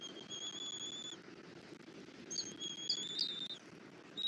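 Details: Wild bald eagles at a nest in Southwest Florida on a February morning, the male bringing a rabbit while the female feeds a chick; a long high whistled note, then a run of steady whistled tones with brief chirps, over soft low rumble.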